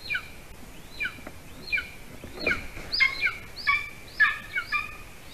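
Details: Golden eagle nest in Latvia, evening of 06-12-20 around 8:42 p.m., with the adult male delivering a larger bird as prey to the chick. A series of piercing, descending yelps, spaced irregularly and quickening toward the end, over faint outdoor hiss.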